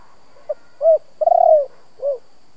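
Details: Spotted dove in the 'thổ' voice, cooing to excite decoys: one phrase of a soft clipped note, a rounded coo, a long coo starting as a rapid stutter and falling, then a lower closing coo.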